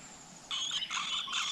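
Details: Flowerpecker at the nest with its brood in the wild: after a quiet start, a burst of high, thin chirping notes runs continuously to the end.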